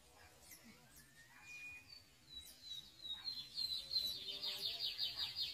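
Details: Lined seedeater from a Brazilian breeder, singing: thin whistled notes near the start, then a rising series of bright, rapid trilled phrases over faint background noise.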